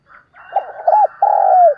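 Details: Spotted dove decoy giving its morning coo: soft broken notes build into two hollow rounded coos and a long falling one, over a faint steady background tone.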